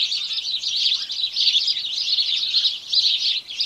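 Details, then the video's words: House sparrows calling together in a flock, a steady wash of many overlapping chirps and chattering notes with no pauses and no other sounds. "House Sparrow Birds Chorus"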